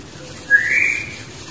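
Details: Barbet, locally called burung takur, with its young in the wild: a single clear whistled note, rising slightly and held for about half a second over quiet background hiss.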